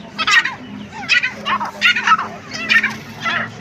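Grey francolin giving harsh, rasping notes in quick clusters, about two a second, with a faint low hum underneath.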